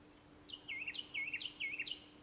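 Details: A Carolina wren in a park around 8 am on 30 April 2022, about five to ten metres away, sings four rapid, loud rolling phrases, each dropping from a high note into a lower warble, with a faint steady hum behind.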